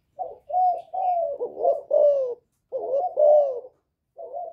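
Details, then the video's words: Spotted dove cooing Thổ style to stir up wild rival males, several throaty coos run together in a quick phrase, a pause, then another phrase and a final short coo. "Cu Gáy Giọng Thổ GÁY GỌI kích bổi"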